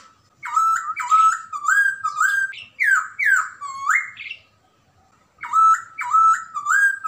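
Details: Chinese hwamei singing actively, white-cheeked and grey-cheeked birds compared; ringing whistled phrases of swooping, downward-then-upward slurs in rapid runs, a pause of nearly a second, then the phrase resumes.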